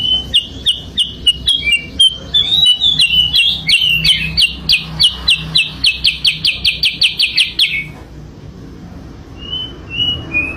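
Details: Sooty-headed bulbul lure song for trapping birds: a long run of sharp, rapid chipping notes, about three a second, slightly rising and falling, then a pause and a few soft whistled notes.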